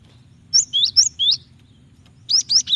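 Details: Calls of a female cinereous tit summoning the male, meant to prompt singing: a quick series of high, clear whistled notes, some bending downward, followed after a pause by three more rising notes.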